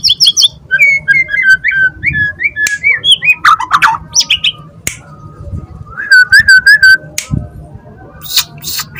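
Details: White-rumped shama, a young forest-caught bird, singing loudly in its cage as the cage is held. A rapid series of varied whistled notes, chirps and sharp clicks, with a rolling warbled phrase near the end.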